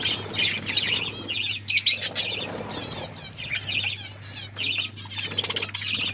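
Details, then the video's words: Budgerigars chirping while eating: continuous chattering warble of quick high squeaks and trills from several birds, with soft wing flutters and a low hum underneath. "Beautiful budgies eating food birds chirping sounds"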